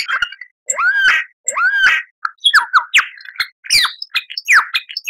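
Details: Lyrebird song meant for cage birds to imitate, with two loud arched squawking notes followed by a jumble of quick downslurred chirps and sharp whistles.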